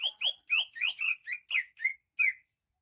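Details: Greater green leafbird, a Banyuwangi-origin bird in full song, gives a run of nine loud whistled notes around two to three kilohertz, each sweeping up then dropping sharply, spaced about a quarter second apart.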